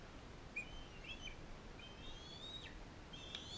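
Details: Bald eagle calls at a care facility, where a captive, non-releasable adult female fosters a young eaglet from Powell River: thin, high whistled notes, some long and level, a few bending down at the end, over soft background hiss.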